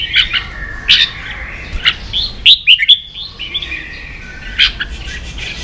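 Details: Competing red-whiskered bulbul from Vietnam, a kept songbird, delivering bright whistled chirps and slurred notes, a tight cluster of loud phrases around two and a half seconds, then scattered calls over a steady bird chatter.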